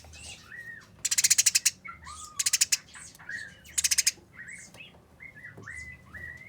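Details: Eurasian tree sparrows fighting: several short bursts of harsh, rapid, buzzy chatter, about ten notes each, separated by quieter scattered chirps and short downslurred tweets.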